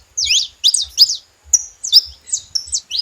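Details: Free saffron finch in nature giving a clean sequence of about seven loud, high slurred notes, each a quick down-and-up sweep, spaced roughly every half second against a quiet background.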